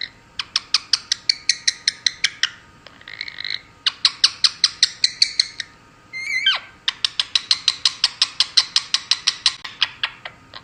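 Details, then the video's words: A female Indian ringneck parakeet makes quick, bright kissing smacks about five times a second in long runs, broken once by a short squeaky downward whistle. She also makes a frog-like noise copied from her conure brother. "Female Indian Ringneck “Scrambles” making cute noises and giving lots of kisses."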